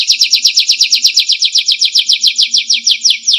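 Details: Canary song for tutoring other songbirds: a fast, continuous roll of short bright whistled notes, about seven per second, loud and even throughout.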